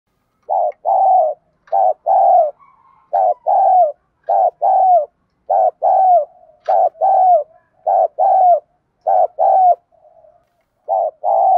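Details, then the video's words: Spotted dove with a field-style voice, cooing to help train decoy birds. Repeated low, mellow coos in short paired notes, about fifty per minute, with brief softer murmurs between phrases and no other sounds. "cu gáy giọng đồng. thúc gù, tiếng gáy gọi"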